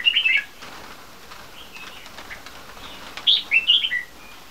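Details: Captive three-month-old bulbul crossbreeds from red-whiskered and yellow-vented parents of champion bloodline: a quick chirpy phrase opens, then after a short gap a longer run of rising and falling twittered notes.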